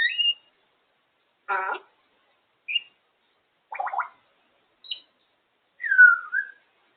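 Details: Pet African grey parrot chatting on her cage: a varied string of short sounds, clear whistles alternating with harsh buzzy bursts and a drawn-out falling whistle near the end, spaced about a second apart in a quiet room.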